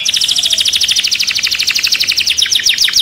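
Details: A raging caged canary delivers a rapid, even trill of high repeated notes, about ten per second, continuing steadily throughout.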